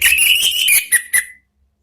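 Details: Orange-headed thrush singing in the loud ngeplong style, used as a lure and therapy sound for birds: a rapid run of clear whistled notes with high sharp overtones, lasting about a second and a quarter, ending in a falling whistle.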